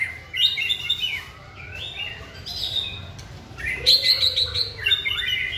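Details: During a singing training session, a caged white-rumped shama gives bursts of bright, high whistled and twittering phrases. A short pause separates them, and a faint lower slurred whistle follows.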